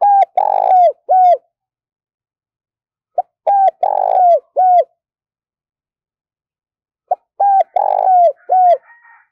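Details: Spotted dove, a decoy bird, cooing: three phrases about four seconds apart, each a short note followed by a pair of loud, mellow, slightly falling coos and a closing coo, with a faint higher chirp after the last phrase.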